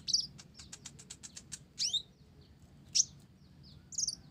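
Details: Konin blorok sunbird with gelatik fill opens with a fast rattling series of dry ticks, then gives a buzzy downslurred sweep and two separate bright high notes.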